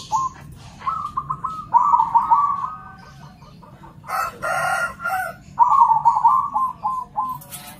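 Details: Zebra doves, local and crossbred, singing in reply to one another: repeated rolling, stuttering trilled coos in three phrases, broken by a loud broadband clattering noise in the middle, over a low background rumble.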